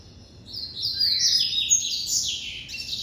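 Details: A white double-collared seedeater in an amateur breeder's collection sings in the classic style, a fast chain of high buzzy notes stepping up and down, trailing into sharp chips.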